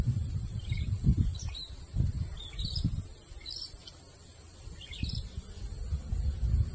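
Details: Shrike calling to no particular listener, giving clusters of quick, high, scratchy chirps in bursts over several seconds, partly masked by loud low-pitched rumbling and knocking.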